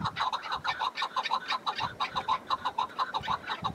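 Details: Wild chukar partridge on a snowy spring mountain, calling in a fast, even series of clucking chuck notes, roughly three per second, over gusty wind.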